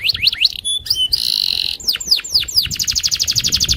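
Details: Loper canary challenging a rival with a short burst of slurred whistles, a harsh buzzy note and a quick run of repeated chirps.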